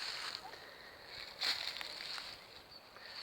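Water sloshing and splashing around a small boat, with a brief louder splash midway and faint voices, but no animal voice.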